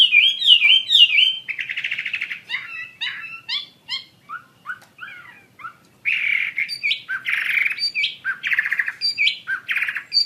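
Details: Chinese hwamei in lively, varied song: looping whistles, then a medley of sharp mimic-like notes and chips, then loud repeated rich phrases with high flicked accents, strong and continuous.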